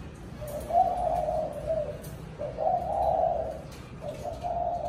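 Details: Spotted dove calling the flock in the evening: low hoarse cooing phrases about a second long, repeated every couple of seconds, with soft background hiss.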